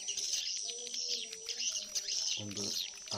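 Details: Edible-nest swiftlet colony and mating calls mixed into an edited lure track: dense high, thin twittering chirps run almost continuously, with a man's low voice murmuring underneath and short buzzy bursts near the end.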